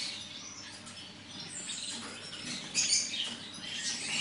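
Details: Bolivian black siskin delivering a high, scratchy twitter of quick chirps and buzzy notes. The song grows louder and denser near the end, over a light background hiss.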